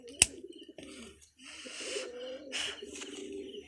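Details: Kept pigeons of mixed local and foreign bloodlines cooing in low, pulsing rolls, with one sharp click at the start and a rushing noise over the later phrases.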